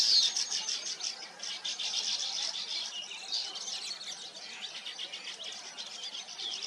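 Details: Nesting weaver birds fill the air with a dense, continuous chorus of high, scratchy chirps and twitters, many voices overlapping throughout without pause.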